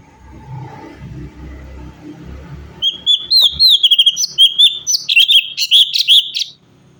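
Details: Varied song of a cucak cungkok bulbul for tutoring caged songbirds: a quiet murmur first, then a rapid string of clear, high, bouncing whistled notes tumbling up and down for about four seconds.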